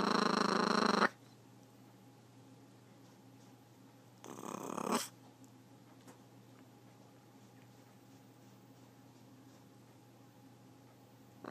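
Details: A pet talking blue-and-yellow macaw growls: a harsh, rasping growl lasting about a second, then a second, shorter gravelly growl a few seconds later; otherwise quiet.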